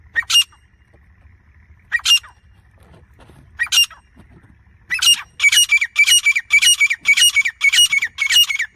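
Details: Non-stop calling grey francolin, loud and close: three spaced grating notes, then a fast rhythmic series of about eight harsh repeated calls, nearly two each second.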